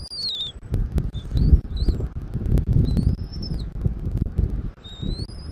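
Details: Eagle at its nest in Southwest Florida, nest camera, 13 January 2024, early afternoon; a few short high whistles, some falling and some rising, against heavy low wind noise and occasional knocks.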